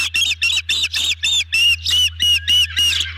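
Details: Ospreys at the nest on a camera, evening of 18 June 2020, during a big fish dinner delivered to the family: loud harsh squawking chips repeated about four times a second in a steady, even series, with a low steady hum beneath.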